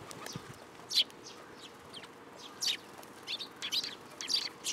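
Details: Sparrows gather to be fed at a Tenmangu shrine, 10 July 2022. Scattered shrill chirps sound at irregular intervals, with a few stronger single notes standing out from softer background cheeps.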